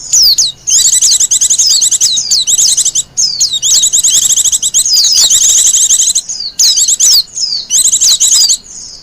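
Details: Wild Japanese white-eye sings, a recording used as lure and master song: bright, high twittering phrases packed with quick chirps and falling whistles, repeated with short breaks.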